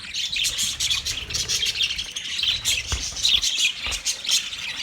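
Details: Budgerigar dated 29 February 2024, giving a steady run of bright, buzzy warbling and rapid chirps with almost no pause, plus a few clicks and faint low rumble.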